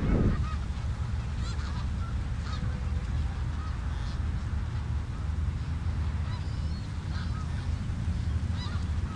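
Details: Snow geese on the Richelieu River, a flock giving scattered, fairly faint nasal honks with rising-falling inflections throughout, set against a constant heavy low rumble.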